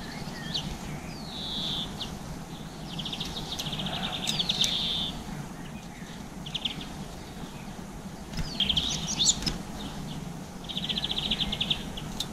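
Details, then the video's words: Garden birds, including tits, blue tits and greenfinches, eating seeds around 7 pm in April 2020, captured on a GoPro; quiet bursts of fast, high, trilled chirps come in short runs every few seconds over a steady low background hum. "Oiseaux des jardins mangeant des graines - garden birds eating seeds"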